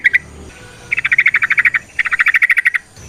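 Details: Sooty-headed bulbul (trucukan) song used to draw other bulbuls into song; two rapid, evenly spaced rattling runs of bright clipped notes, each lasting under a second.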